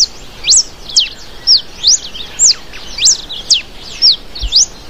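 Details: Ringed warbling finch (Microspingus torquatus) song: high, thin notes sweeping sharply up and down, about twice a second in a busy, uneven run, over faint background noise.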